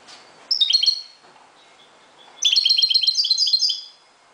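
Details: Moroccan European goldfinch in song at dawn, a short twittering phrase, faint thin notes, then a rapid run of bright, rhythmic, slightly buzzy chirps lasting over a second.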